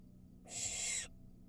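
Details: Barn owl fledgling inside a nest box while eating a mouse gives one long harsh hissing screech, about half a second of broad rasping noise, in an otherwise quiet setting with a faint low hum.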